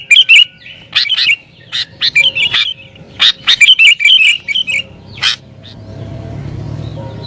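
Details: Sooty-headed bulbul singing an agitated song used to lure wild bulbuls: bursts of bright, bubbly whistled notes, each phrase quick and warbling, repeated several times with short pauses, then fading into quiet background rumble.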